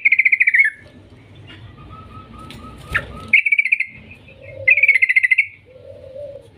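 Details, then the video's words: Yellow-vented bulbul giving long trilled song to draw other bulbuls into singing: rapid bubbly note runs, a faint series of soft whistles, then further bursts with low warbled phrases after them. "Suara panggilan trucukan gacor ngetir panjang ampuh untuk Pancingan Trucukan agar bunyi GACOR"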